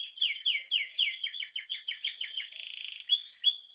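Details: Ringed brown-yellow canary kept as a pet, singing a fast series of bright warbled syllables, repeated rising-falling phrases about four per second, ending in a rapid buzzy trill and two clear whistles; no other sounds.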